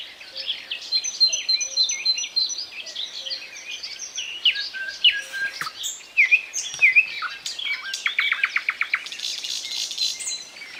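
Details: Thrush nightingale sings a long, varied sequence: thin sustained whistles, twisting notes and slurs, then a fast train of rattling clicks before softer chatter closes the phrase.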